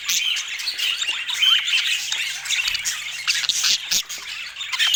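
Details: Budgerigars chatter with dense, high, scratchy twitters and short squawks, steady in loudness apart from a quieter dip near the end.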